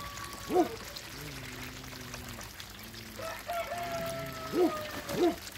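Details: Mallard x Pekin hybrid ducks, two males and one female, in a backyard; three loud, nasal quacks, one early and a close pair near the end, over a low, steady hum and faint trickling water.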